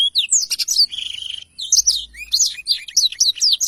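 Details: Blackthroat in ngerol panjang rolling song, recorded to train other birds: quick high swept whistles, a brief rattling buzzy trill near the middle, then a steady run of sharp slurred notes.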